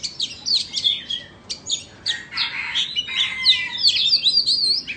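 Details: Oriental magpie-robins, a Vietnamese bird and an Indonesian bird, in a singing competition: rich, varied whistled phrases with sharp rising and falling notes, buzzy bursts and quick trills, delivered in rapid bursts with short pauses.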